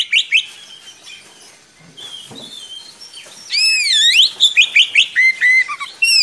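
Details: Oriental magpie-robin with a long, rolling tutor song for young birds: quiet mixed background at first, then loud sweeping whistled slurs and rapid repeated notes.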